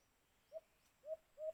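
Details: White-eared brown dove (alimokun) heard while being hunted with a cage trap: three brief low coos, a lone note followed by a close pair, over a quiet background.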